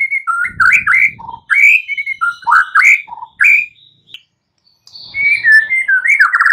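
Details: Morning song of a caged white-rumped shama, used to get silent birds singing: fluty rising and falling whistles in quick phrases, a pause, then a renewed whistled run.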